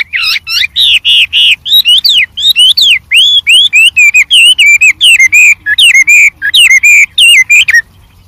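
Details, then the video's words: Singing white-rumped shama in the wild, full of variation: a dense, unbroken string of loud, ringing whistled phrases, twisting up and down, ending abruptly into quiet. "suara Burung Wambi Gacor Variasi Banyak dialam liar"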